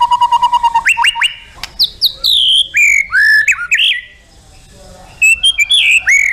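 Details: White-rumped shama singing for contest judges: a quick string of low even notes, then varied loud whistles sweeping down and up, a brief quiet pause, and bright rising chirped phrases to close.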